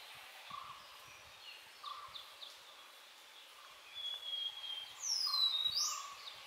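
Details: Nilgiri blue robin (Nilgiri Sholakili, Sholicola major) singing: high, thin whistles sliding downward, with a sharp squeaky flourish near the end, over a steady hiss of insects and faint distant birds.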